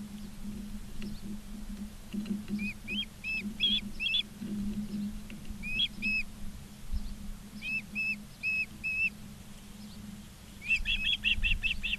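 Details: Ospreys filmed by a live nature cam at Charlo, Montana, 19 August 2023, 16:05: several bursts of thin, whistled chirps, each a run of three to six quick notes separated by pauses, with a steady low hum underneath.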